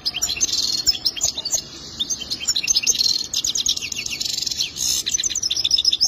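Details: Goldfinch delivering its mating song as a continuous run of rapid, silvery twitters and buzzy trill phrases, with one short lull before resuming.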